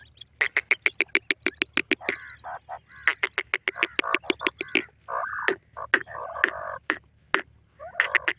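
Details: Partridge call at a cage where a female bird perches in surprise; fast rattling bursts of harsh chuck notes mixed with nasal, drawn-out cackles, over a low steady hum.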